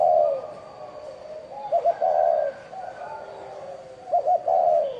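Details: Spotted dove of the 'bronze bell' voice type, cooing to call wild birds and stir up males and females: drawn-out hollow coos with short doubled stutter notes, over a noisy, humming background.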